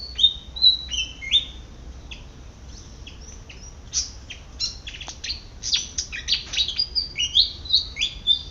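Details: High sweet whistled phrases of a Malaysian pied fantail searching for food in a garden, opening with rising notes, then a rapid burst of sharp chips and more upslurred whistles.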